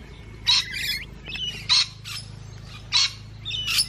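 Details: Musk lorikeets feeding give harsh, high, buzzy screeches, four sharp bursts about once a second, with softer chattering between them over a low background hum.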